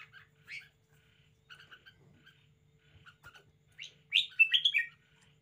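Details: Caged red-whiskered bulbul in a spirited display, a few soft chirps, then a loud rapid run of warbled notes near the end, over a faint low hum.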